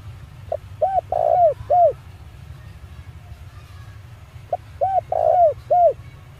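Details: Male spotted dove calling to lure wild doves: two phrases about four seconds apart, each short curved notes framing a louder central coo, with a constant low background rumble.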